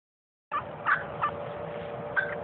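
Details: Wild turkey gobblers strutting alongside hens: several short burbling gobble bursts in quick succession, then one more after a pause, over a steady low hum and rustling background noise.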